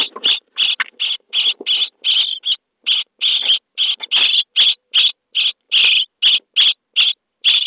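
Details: Starling chicks in a nest box, day 23, begging during feeding: a rapid, near-continuous run of short, harsh, wheezy rasps, about two or three per second, overlapping voices from several nestlings.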